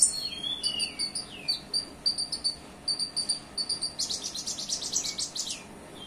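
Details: Olive-backed sunbird song filled with small minivet-style phrases: thin descending slurs, then strings of sharp high pips repeated several times a second, ending in a dense buzzy high trill that fades with a falling note.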